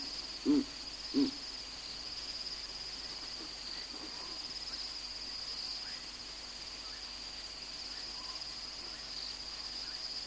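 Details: At Naledi Cat Eye in Olifants West Game Reserve, South Africa, where two Verreaux's eagle-owls are present, two deep, gruff hoots come less than a second apart near the start, over a steady high insect drone.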